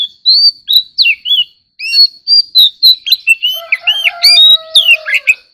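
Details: White-rumped shama kept as an ornamental bird, in competitive singing: continuous varied whistles, sharp upslurs and looping notes, growing denser near the end as a low buzzy harmonic drone joins in beneath.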